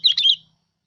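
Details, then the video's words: Single short warbled note pair from a sooty-headed bulbul used as a lure song, bright and slurred, ending abruptly, with a faint low hum underneath. "Tiếng Chim Bông Lau Mồi"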